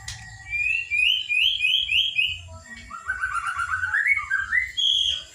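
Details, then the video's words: Spotted juvenile white-rumped shama from Kota Agung, Medan, giving a quick run of rising whistles, about four per second, followed by a lower bubbling warble that climbs in steps and ends on a high whistled note. "Burung murai batu pas trotol"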